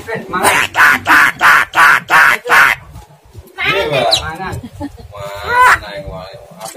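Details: ['Provoking starling sounds for a lazy caged bird: six loud, harsh, evenly spaced notes in quick succession, then a burst of rising, grating harmonic calls and chattering phrases.']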